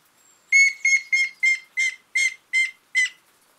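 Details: Grey-headed woodpecker giving a series of eight bright, ringing notes at a steady pitch, spaced about every third to half second, with a faint thin whistle just before the series begins.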